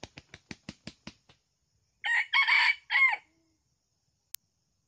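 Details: Red junglefowl used as a decoy to lure wild junglefowl in Kuansing, with two birds caught. A rapid series of about eight sharp clucks is followed by a short, harsh three-part crow, then one distant click.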